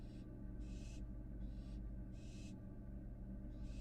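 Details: Breathy, noisy hisses from a young American barn owl that has returned to its nest box in Florida after first leaving it; four bursts in quick succession over a low droning hum.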